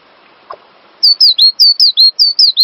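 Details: Cinereous tit master song for tutoring songbirds: one faint low click, then a fast series of clear high whistled notes, each sliding downward, about nine in quick succession.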